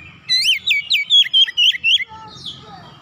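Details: Oriental magpie-robin kept at home bursts into vigorous song after hearing another bird, pouring out its repertoire: seven loud, slurred whistled notes in rapid series, then quieter soft warbling.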